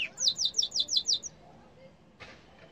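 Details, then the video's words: Short phrase from a yellow canary: about seven quick high descending notes in a rapid run, then fading into quiet background with a faint soft noise near the end. "canari jaune chant 💛💛💖/غناء طير الكناري💛💛💖"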